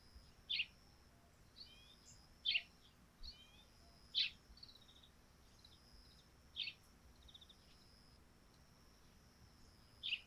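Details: Sparrows on a dewy thatched roof in the morning: quiet, sharp, short chirps repeated about every two seconds, with fainter soft chirps between them and a steady thin high-pitched tone running underneath throughout.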